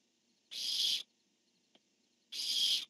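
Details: Barn owl pair, one calling and its mate answering, 10-1-15: two long rasping, hissy screeches about two seconds apart, with a faint click between them.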